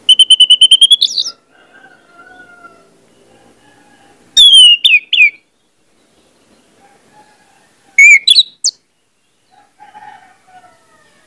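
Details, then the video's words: Orange-headed thrush song played as a lure to get birds singing freely: three loud, clear whistled phrases with sharp rising and falling slurs, separated by pauses of a few seconds, with soft lower whistling in the gaps. "pancingan anis merah bikin cepat ngeplong"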